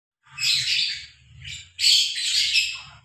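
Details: A pair of Fischer's lovebirds in the open air giving harsh, shrill chattering bursts: two long runs of high, grating squawks with a brief pause between, over a faint low hum.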